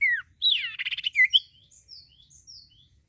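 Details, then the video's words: Common iora, a song recording used to stimulate other birds to sing: a falling whistle, a harsh buzzy squawk, a short sharp note, then a few thin high whistles fading out. "cipoh gacor ampuh meransang burung bahan jadi bunyi"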